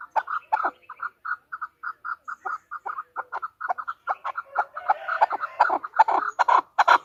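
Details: A female chukar partridge utters a long series of short clucks that grows faster and denser toward the end, where the notes blur into a harsher chattering.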